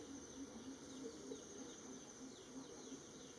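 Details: Greater coucal (Centropus sinensis) in a garden in western Thailand near Hua Hin gives a soft series of deep, hollow hoots, about three or four each second, over a steady high insect hiss.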